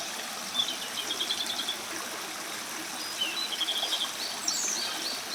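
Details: Japanese robin singing continuously for about five minutes after coming a little forward; high rattling trill phrases, each opening with a sharp note then a rapid even series, about three seconds apart, over a steady rushing water background.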